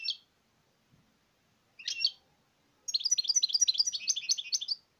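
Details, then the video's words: Two brief high chirps from a European goldfinch, then a long continuous stream of quick, bright twittering notes lasting about two seconds. "تغريد الحسون"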